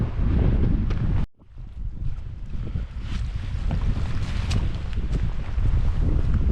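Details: Strong wind buffets the microphone over a low rumble of moving water, with a brief drop-out just after one second and no animal voices.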